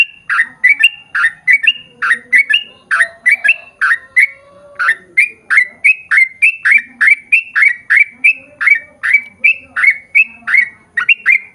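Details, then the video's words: Long unbroken 'ropel panjang' song of a sooty-headed bulbul, played to coax others of its kind into singing: quick chirpy notes repeated around three a second for over ten seconds, faint humming underneath. "KICAU SUARA trucukan gacor ROPEL PANJANG"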